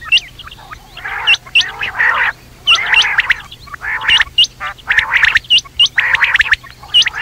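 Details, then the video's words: Quail night call: short, sharp, hooked high notes repeated about every half second, mixed with louder harsh, grating bursts from several birds calling together. "batair rat wali awaz"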